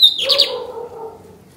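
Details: Lined seedeater (bigodinho) singing, recorded 28 June 2022: a short high whistle drops into a quick buzzy flourish, then fades under low murmuring voices.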